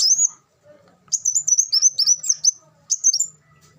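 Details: For tutoring captive birds: a black sunbird gives one short high note, then a run of quick, piercing twittered notes sliding up and down, ending in a brief final burst.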